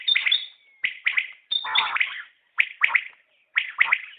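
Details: Common quail: short bursts of rapid chirped notes recurring under a second apart, topped by thin high whistles at the start.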